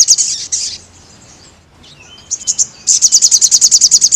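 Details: Crested jay song meant for training caged birds: a harsh high burst, a quiet gap with faint squeaks, then an accelerating series of sharp repeated high notes.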